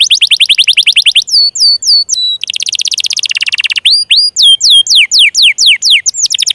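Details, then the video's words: Canary singing to lure quiet or juvenile canaries into song: rapid descending trills, short hooked whistles, a buzzy rattle, then a series of rising slurred notes repeated about twice a second. "SUARA PANCINGAN KENARI MACET,, MALAS BUNYI DAN KENARI PAUD"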